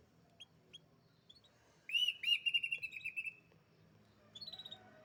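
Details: Canary singing a sustained rolling trill of rapid repeated notes lasting about a second and a half, preceded by two faint chirps and followed by a short higher buzzy trill; low background hum.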